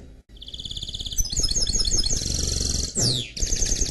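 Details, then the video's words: Canary x goldfinch mule in full song: a fast trill rising into tumbling, bubbly chirps, a rapid descending sweep, then a steady high trill. "Chant Mulet Canari X Chardonneret"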